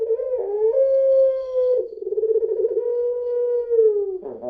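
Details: A drawn-out coo from a puter pelung spotted dove, used to lure others: a level hum with a quavering middle stretch, held for several seconds and ending in a harsh catch.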